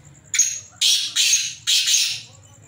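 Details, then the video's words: Loud rasping call of captive black francolins: three harsh grating notes, the last two long and drawn out, with a faint steady high whine behind. "kala Teetero ki Awaaz کالے تیتروں کی آواز اور مستیاں"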